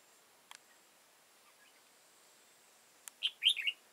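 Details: {'text': 'Wild red-whiskered bulbul with a tall crest and dark bib, heard while being trapped on 15 October 2018; after near silence and a couple of clicks, one brisk phrase of three or four bright warbled notes closes the recording.'}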